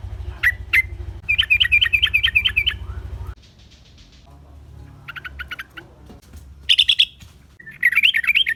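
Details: Lively sooty-headed bulbul song used to lure wild bulbuls into responding: quick strings of bubbly, rising-and-falling notes, a quieter pause with soft chatter, then renewed rapid warbling phrases.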